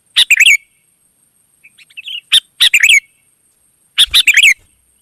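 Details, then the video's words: Lively song of wild sooty-headed bulbuls answering one another: three loud clusters of rapid bubbly notes, with quieter chattering in between and a faint constant high tone. "suara burung gacor kutilang liar auto nyaut"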